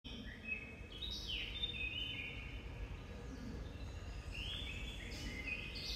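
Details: Wild common blackbird singing in the cloister garden of Santa Chiara Monastery, Napoli, alongside serin and blackcap; sweet whistled phrases slide and fall between overlapping notes, with a steady low hum of city noise beneath.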